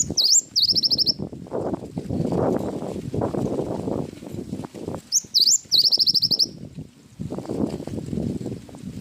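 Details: Gacor cinereous tit, song with wingko fill-in: two bursts of high slurred notes, each followed by a rapid chattering trill, over loud low rumbling background noise.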